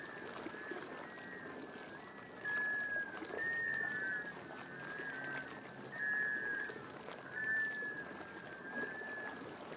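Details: A courting flock of Black Scoters on Shediac Bay, New Brunswick, mid-April 2014, migrating to northern nesting areas, gives a continuous chorus of mellow, mournful, drawn-out whistles, rising, falling and overlapping, over soft water and wind noise.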